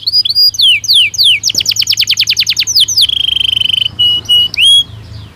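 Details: A Belgian canary sings varied, bright phrases: quick downslurred chips, a rapid pulsing trill, then a level sustained whistle and short rolling notes ending in a rising whistle.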